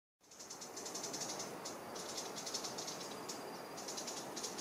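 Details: A Long-billed Starthroat in Boquete, Panama, sings thin, very high squeaky chips in short rapid bursts over a steady rushing hiss, in December/January when many hummingbirds sing; Isthmian Wrens are louder nearby.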